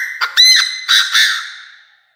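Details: Decoy Chinese francolin calling the flock with intense crowing: four loud, harsh, ringing notes packed into under two seconds, each rich in overtones, the last ones slurred and trailing off.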